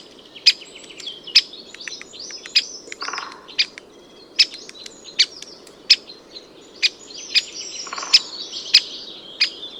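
Great Spotted Woodpecker giving sharp, high 'kik' notes, one roughly every half second to second, over soft twittering from other small birds.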